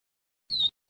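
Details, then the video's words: Double-collared seedeater recording meant for teaching young birds to sing: a high, clear whistled note sliding slightly downward, then a second high whistle beginning, over a faint low hum. "Encarte Coleiro,Papa Capim Viviti para Ensinar seu Filhote!!"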